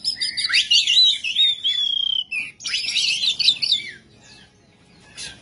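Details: Kacer (Oriental magpie-robin) in rough, full 'ngebyak' song: scratchy warbling run into a long clear whistle, a short break, then another harsh, busy phrase before trailing into quiet.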